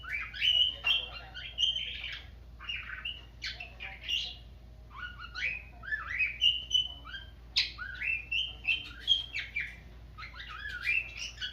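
A cockatiel sings in a busy run of clear whistles and chirpy, rising and falling notes.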